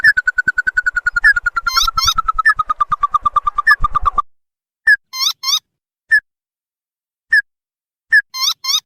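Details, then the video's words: Lure recording of tututan (sintar padi) for calling wild birds: a rapid series of pulsed notes slowly falling in pitch for about four seconds, then spaced short whistles and paired squeaky rising chirps. "SUARA PIKAT TIKUSAN, Burung Tututan. paling ampuh 3 detik langsung nyaut"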